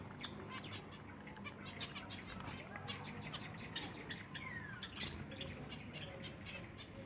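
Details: Group of silver Java sparrows at feeding time: rapid, crowded chirping and clipped tweets throughout, one slurred descending whistle near the middle, and a steady low murmur of activity.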